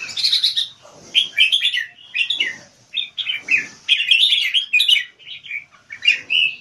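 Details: Singapore-kept competition Red-whiskered Bulbul performing keke: quick high chattering notes in choppy bursts, about eight phrases, separated by short pauses.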